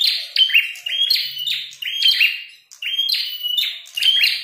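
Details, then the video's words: Red-headed prinia in fighting mode, giving rapid, high, sharp chirping notes in bursts about every half second, with bright, slightly buzzy phrases running nearly continuously. "Prenjak tarung gacor"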